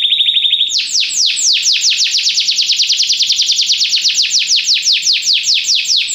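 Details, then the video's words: Belgian canary singing, used for song training: a brief steady high trill, then a long run of rapid downward-sweeping whistled notes repeated about six times a second, bright and loud throughout. "canário belga cantando mais espectacular! treinamento canario belga"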